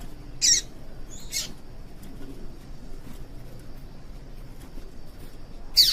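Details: Female yellow-bellied seedeater calling, a call used to stir males into singing: three short, sharp, high chip notes, two near the start and one at the end, over faint steady background hiss.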